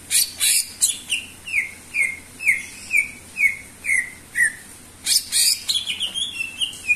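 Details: Greater green leafbird singing a series of slurred, downward whistles repeated about every half second, then bursts of harsh high chattering and quicker whistled notes.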